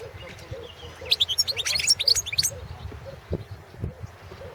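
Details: Goldfinch, subspecies Carduelis carduelis balcanica, singing in a 2017 internet song competition run from Serbia: one dense second-long burst of high chattering, twittering notes, followed by quieter low thumps and background noise.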